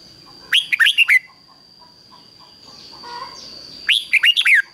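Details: A red-whiskered bulbul kept as a decoy sings to lure wild bulbuls: two quick bursts of four or five bright, slurred whistles about three seconds apart, over a thin, steady electronic whine.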